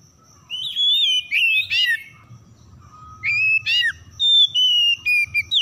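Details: Oriental magpie-robin song used as a lure to get silent birds singing: loud clear whistled phrases, some rising then falling sharply, in short bursts separated by quieter sliding notes, with a steady high faint tone throughout.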